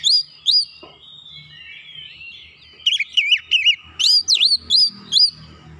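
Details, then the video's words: Oriental magpie-robin song meant to rouse a lazy bird into excited singing: two looped whistles, then a soft sliding warble, followed by rapid wavering whistled notes and high clicking chips in quick succession. "kicauan cepat merubah Kacer malas bunyi naik emosi bongkar isian"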